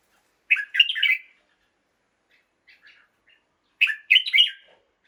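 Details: Caged red-whiskered bulbul singing in the morning: two bursts of quick, bright warbled phrases, each a cluster of three or four fluty notes, separated by a pause with a few faint soft notes.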